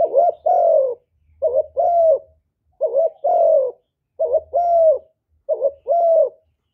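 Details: Spotted dove cooing in repeated full calling phrases, a short note followed by a longer, slightly falling coo.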